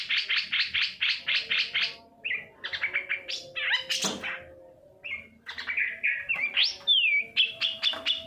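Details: Long-tailed shrike song played to stimulate other shrikes to sing. It opens with a rapid chattering series, then a jumble of whistles, buzzy notes and a clear downslurred whistle.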